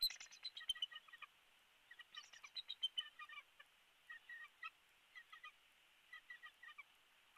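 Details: Wild bald eagle at its nest in Big Bear Valley, recorded by a live nest camera on 15 March 2022 at 08:09, with a chick recently hatched; a series of short, high, clipped piping notes in irregular bursts, some faint clicks.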